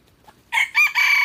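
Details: Red junglefowl crowing: after a half-second of near quiet, a loud, harsh, ringing crow bursts out in three closely linked segments, the last one drawn out and steady.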